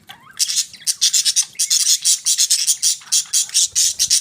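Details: A budgie heard in the morning makes a rapid run of loud, raspy, buzzy chatter notes, about four per second, after a rising whistled opening.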